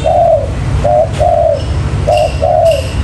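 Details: Spotted dove call used as a lure for trapping wild birds: five hoarse, slightly falling coo notes in three seconds, grouped unevenly in short runs, over a low background rumble.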